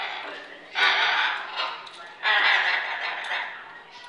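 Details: Hyacinth macaw playing with other birds on a kitchen play area indoors; two loud, harsh, raspy squawks, each nearly a second long, about a second and a half apart, with quieter scratchy sounds between.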